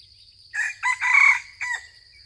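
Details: Crowing junglefowl with yellowish plumage, drawn in by a decoy: one loud, hoarse crow in four syllables, the long third part strongest and the short final note trailing off.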